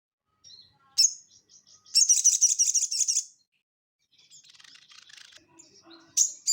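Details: Crested jay (sogon) in the ngeleper style, used to train cage birds: a sharp note, then a rapid rattling burst of repeated chatter, followed by softer scattered twittering and a final sharp note.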